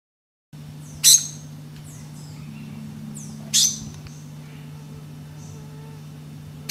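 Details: Black-cheeked gnateater song: two harsh, sneezy bursts about two and a half seconds apart, between faint thin downslurred chirps, over a low steady hum.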